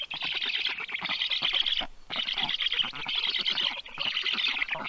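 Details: Black stork nest, Karula National Park, southern Estonia, 7:05 am on 30 June 2023, fish delivered to the chicks; loud hoarse chattering in three long bursts separated by short silences, captured by a nest camera.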